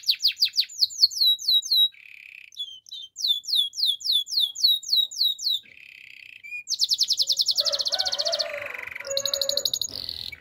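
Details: Waterslager canary training song made of alternating phrases: rapid falling whistled notes, short buzzy tones, more repeated downslurs, then a long high pulsed roll and a lower buzzing rattle.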